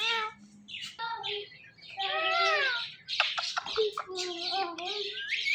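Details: One of two pet parrots, a male teasing a female, producing harmonic, speech-like drawn-out calls and squawks that rise and fall, with scratchy chatter in between.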